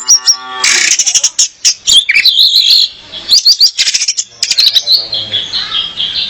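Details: Singing female orange-headed thrush, used as a lure for males and for song training; dense, varied phrases of sharp chips, trills and quick warbled slurs, loud and continuous with short pauses.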